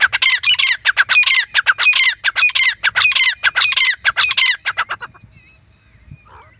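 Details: Male and female grey francolins calling together, a loud harsh run of rapid, grating squawks with shrill ringing notes, then fading to quiet with faint distant chirps.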